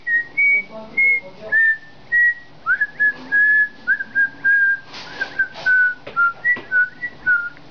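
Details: A 7-month-old male pet cockatiel sings a run of clear whistled notes, some steady and some sliding, in quick phrases, trying to learn Tchaikovsky's Dance of the Sugar Plum Fairy.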